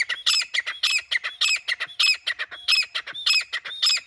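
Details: Continuous rhythmic series of harsh, high rasping calls from a grey francolin (grey teetar), notes repeated about twice per second with fainter notes between them.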